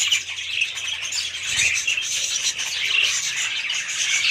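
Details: Budgerigars chirping and warbling together, a steady, high, rasping chatter with faint low hum underneath.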